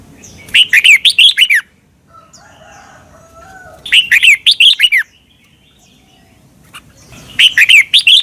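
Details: Red-whiskered bulbul from Thailand, a recording played to caged birds so they copy the doubled song style: three bursts of rapid, rich warbled notes, each about a second long, separated by quiet gaps.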